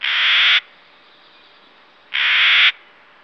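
A Clark's nutcracker gives two harsh, grating squawks, each about half a second long and spaced two seconds apart, against a quiet background.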